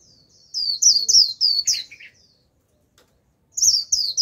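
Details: Japanese white-eye used to lure a wild flock, singing a quick burst of high, descending whistles ending in lower buzzy notes, then silence before another rapid high series resumes.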